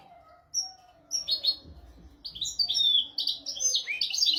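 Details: European goldfinch tutor song for goldfinch and canary training: a few clear high whistled notes, then rising, increasingly busy twittering and buzzy chatter over a faint low hum.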